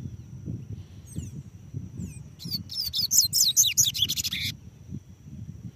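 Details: Double-collared seedeater perched on a hand: two faint thin whistles, then a two-second volley of rapid, high, slurred chirping notes, with low murmuring noise underneath.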